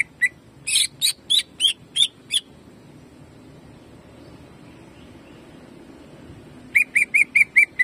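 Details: Greater green leafbird jamtrok song, used to warm up and excite other birds: a burst of sharp, clipped whistled notes, a long quiet pause, then another quick series of bright chips.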